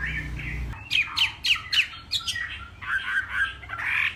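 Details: Hwamei from Northwest Vietnam, morning contest singing: after a brief low murmur, a series of sharp downward-slurred whistles at a steady beat, then softer chattering warbles.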